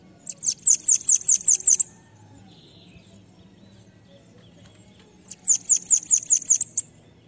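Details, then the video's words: Bananaquit, locally sibite cambacica, singing pega pega song for training others: two evenly paced phrases of about seven high, sharp, downslurred notes, five seconds apart, with a faint buzz in the gap. "CANTO LINDO DEMAIS PARA ENCARTE DE SIBITE CAMBACICA ( sibite PEGA PEGA )"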